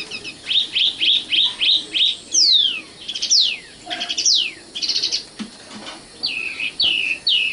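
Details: Sikatan londo, the Common nightingale, gives a phrase of five evenly repeated short notes, then long sweeping descending whistles, a buzzy burst and three upturned rising notes.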